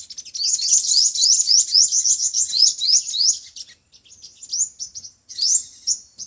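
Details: Sunbird song of the five-colour and seven-colour kinds, played through a loudspeaker to lure birds for trapping: a fast run of high, thin, upward-sweeping chirps, about three per second, pausing, then resuming with scattered twitters and a final sweep.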